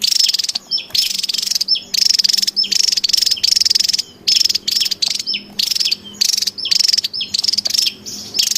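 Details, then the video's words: Javan tesia calling excitedly in the wild, used as lure audio: a long run of rapid buzzy rattles in quick succession, steady and insistent, with occasional thin high notes between bursts. "SUARA PIKAT DAN MASTERAN TESIA JAWA RIBUT DI ALAM LIAR"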